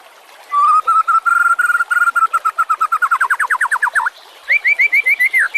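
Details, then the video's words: White-rumped shama master song for training other songbirds: a long steady series of whistled notes that speeds up and rises, then a brief pause and a higher run of quick repeated notes. "Suara kicau burung murai batu. Masteran buat:cendet plentet trocok cucak ijo rowo jalak."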